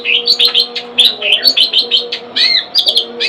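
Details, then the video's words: Pet long-tailed shrike pouring out a lively jumble of chirps, slurred whistles and scratchy notes in quick succession, loud and close, with a low hum behind. "Burung cendet"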